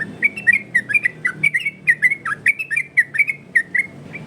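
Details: Yellow-vented bulbul song varied for training and luring other birds: a rapid run of short bubbly whistled notes between mid and high pitch, about four per second, with faint low background rumble.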